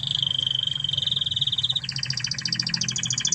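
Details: Training master song of a Spanish Timbrado canary from Spain: a smooth, steady whistled trill gliding slightly upward, switching abruptly to a faster, higher bubbling roll, over a low continuous hum.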